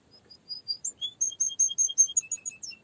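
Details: Canary song of quick, bright, high chirps in an accelerating, evenly paced series, stepping between pitches, with a few sweeping notes near the end.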